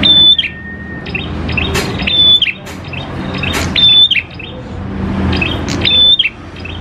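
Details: Prinia singing, played as a lure to prompt other prinias to sing: sharp high level whistles repeated roughly every two seconds, one lower flat whistle near the start, scattered chirps, and steady low background noise.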